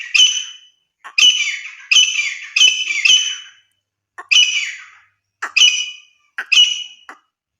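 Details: Female grey francolin, deshi madi titar, wild, hunting call: loud grating squawk notes given in spaced bursts, roughly one every half second to second, with short silent gaps.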